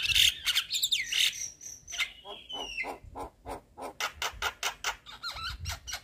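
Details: Head-bobbing white-eyed Javan myna chattering to provoke other mynas: loud squawky notes open, then a drawn-out falling whistle, followed by steady repeated rasping bursts and a final warble.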